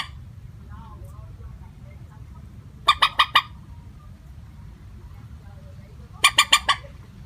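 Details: Common moorhen call used as a trapping lure, steady in tone: two bursts of four sharp, harsh notes each, separated by about three seconds of low background noise.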